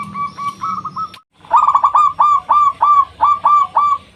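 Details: Loud local zebra dove lure song to provoke rivals: a soft run of coos, a brief silence, then a strong sequence of rolling coo notes, each followed by a short upswept tail, repeated evenly.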